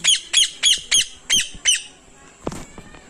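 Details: Two parrots kept together in a cage in a small village, calling noisily: six harsh, rasping squawks delivered in a rapid, fairly even series, followed by a brief clatter and then quiet.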